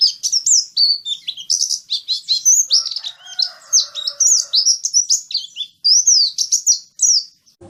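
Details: Oriental white-eye lure song, played to get white-eyes singing often: loud, lively high warbling of fast slurred whistles and chirps in almost continuous phrases, with short breaks between bursts.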